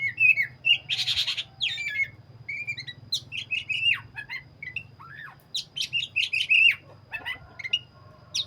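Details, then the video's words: Black-breasted oriental magpie-robin (kacer dada hitam) in full gacor, continuous loud singing: rich whistled phrases, sharp down-slurred notes, a harsh buzzy burst near the start, and rapid varied chips in tight runs over a faint low hum. "burung Kacer dada hitam gacor"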